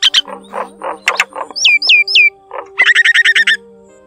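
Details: Common myna lure call of wild field flocks, used for trapping: a varied jumble of harsh croaks, three clear falling whistles, then a quick run of bright clicking notes, over a faint steady hum.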